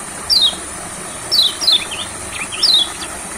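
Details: High, thin descending notes from an olive-backed sunbird in a rice field. Four bright slurs are spaced unevenly over three seconds, with softer chirps and a steady high hiss behind.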